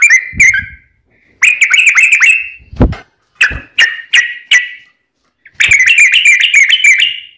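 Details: Yellow-vented bulbul singing actively in the long, rapid 'ropel' style, played to prompt other bulbuls to reply: chattering strings of liquid notes broken by gaps, plus a few separate loud single notes in between.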